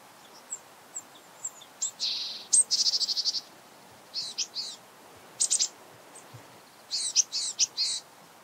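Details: Japanese Tit calling at close range: scattered high chirps, then buzzy rasping notes near 2.5 seconds, a rapid stuttering run of pulses, and later clusters of sharp two- and three-note chirps.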